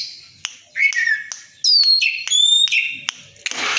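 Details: Oriental magpie-robin kept as a fighter bird, singing loudly with its tail open to challenge a rival. Clear, ringing whistles, some long and flat and some dropping, are broken by short sharp ticks and end in a raspy burst.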